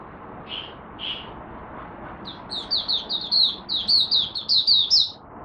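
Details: Malaysian mata puteh, the oriental white-eye, warming up for the day. It opens with two separate thin call notes, then breaks into a long unbroken run of quick, high, slurred chirps that rise slightly toward the end.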